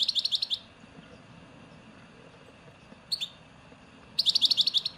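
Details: Goldfinch song in the Souk Ahras (Taghast) regional style, Algeria: quick bursts of bright, high, evenly pulsed twitters, about four notes a second, with a short chirp between the two main bursts over quiet background hiss.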